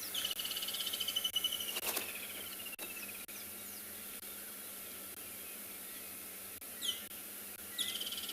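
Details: Woodland kingfisher screeching on a warm, sunny, slightly cool morning in the Sabi Sands, South Africa, 30 November 2020: a sharp high note, then a shrill downward trill of about two seconds, later short calls over a steady insect hum.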